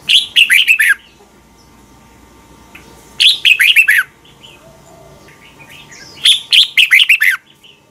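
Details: {'caption': 'Red-whiskered bulbul song from Thailand, played to teach birds: three repeated phrases of five clear, descending whistled notes at about three-second intervals, faint chirps in the background.'}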